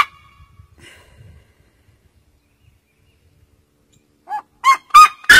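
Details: A red-legged seriema in Brazil, singing to mark its territory, gives four loud, harsh yelps in quick succession, each rich and rising, after a long quiet stretch.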